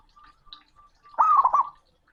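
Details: A male zebra dove calling to a rival gives a few soft, low coos, then a loud, rolling, burbling phrase of quick warbled notes lasting about half a second.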